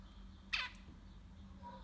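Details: A zebra finch chick in a nest of six chicks gives a single harsh, raspy begging call that sweeps downward, brief and high, against a faint steady background hum.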